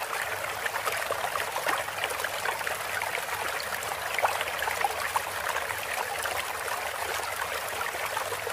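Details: Rushing, trickling stream water plays steadily throughout, with no bird or other animal sound standing out.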